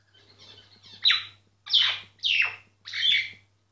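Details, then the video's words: Myna singing, recorded quietly without the bird noticing: a soft, scratchy warble, then three loud slurred notes that sweep down from high pitch, each about half a second long with short gaps between. "Mynah singing"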